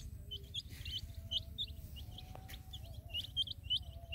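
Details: Small colored chicks beside a hen in a field peep in short, thin, downslurred bursts, clustered then pausing, with a low hum and rumble underneath.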